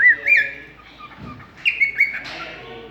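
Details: Pet cockatiel in conversation with its owner: slurred whistled notes and warbling phrases in two bursts with a quiet gap between them, low room noise behind.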